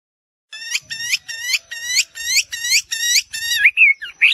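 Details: Chinese hwamei singing a fast series of bright, harmonic-rich notes repeated about twice a second, ending in slurred whistles; no other sounds.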